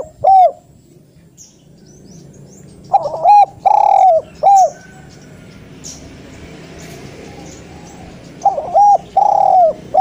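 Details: Spotted dove giving a loud, sharp call meant to prompt lazy doves into calling: clipped, clear cooing notes, one alone, then a group of three, a pause, and a final pair, over a steady low background hiss.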